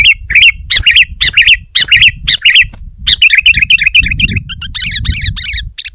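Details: Sooty-headed bulbul singing hard against a rival, a rapid series of bubbly, rolling phrases that speed into a dense chattering run, with a low rumble in the background.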